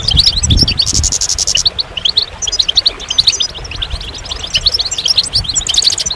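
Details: Goldfinch song opening with a buzzy, sustained rattle, then bright, rapid chirps and twittering notes at about two per second, scattered and irregular, over soft low noise.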